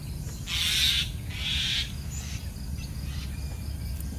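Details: Day-old bulbul chicks, newly hatched, being fed by their careful mother give two loud, harsh, hissing bursts of begging about half a second apart, then fall quiet apart from faint thin chirps over steady low background hum.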